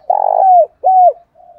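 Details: Captive decoy spotted dove calling to provoke wild doves. A strong, slightly rough coo slides downward, then a second smooth descending coo and a soft, faint trailing note. Quiet background.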